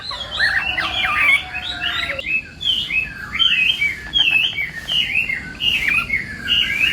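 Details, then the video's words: Chinese hwamei in morning training song for contests: wavering whistled phrases repeated at a moderate pace, with fainter overlapping notes and light background hiss. "Hoạ Mi Hót Đấu /hoạ mi hót sáng luyện giọng"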